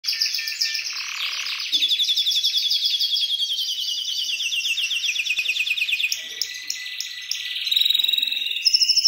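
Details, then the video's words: Syrian canary singing a long chain of rapid rolling trills, repeated notes held in tours that slide from high to mid pitch, then switch to new, faster buzzy rolls near the end. "تغريد كناري سوري"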